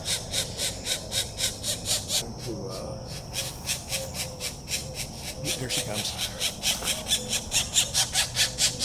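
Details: Pileated woodpecker chicks begging while being fed, 21 April 2024: raspy, hissing calls pulsing in a steady fast rhythm, several per second, with a short pause midway and people talking quietly over them.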